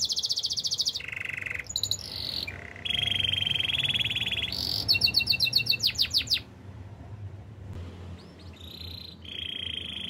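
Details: Canary song of the training kind: a varied run of sustained high trills and buzzy rolls, a fast rattling series of clicks near the middle, then a short pause and more steady trilled notes, with a low hum beneath.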